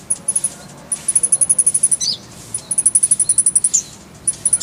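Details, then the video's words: Konin (kolibri ninja) singing for masteran training: two long, very high, fast metallic trills, each closed by a short slurred squeak, then a brief third trill after a pause. Quiet hiss underneath. "Masteran Konin_Kolibri Ninja"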